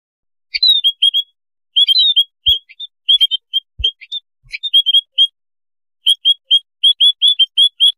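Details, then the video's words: White-headed munia flock, a noisy colony used as a lure: short high chirps, clustered in bursts, with brief pauses and a few low thumps. "paling ampuh suara pikat burung emprit kaji / Pipit haji koloni ribut"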